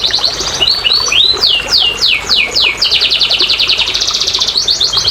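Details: Canary singing as a lure for reluctant canaries: opening chirps lead into a series of loud sweeping downslurred whistles, then a long rapid rolling trill and more quick notes at the end.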